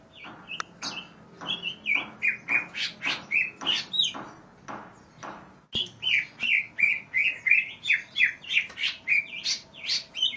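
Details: Energetic greater green leafbird singing, recorded to teach other birds: a nearly continuous stream of rapid, varied chirps and bright whistles, about three notes a second, with one brief break midway.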